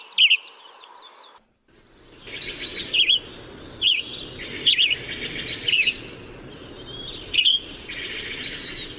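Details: Western Tanager singing short hoarse, slurred phrases spaced about a second apart, each a brief up-and-down warble, over a steady wash of background noise.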